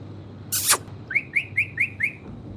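A parrot gives one short harsh rasp, then five quick rising chirps, about four a second, over a faint low hum.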